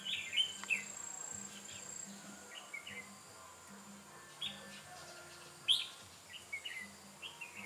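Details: Red-whiskered bulbul decoy singing during trapping on 8 October 2017, Vietnam: short bright warbled phrases at scattered intervals over a steady high hiss and a low humming drone.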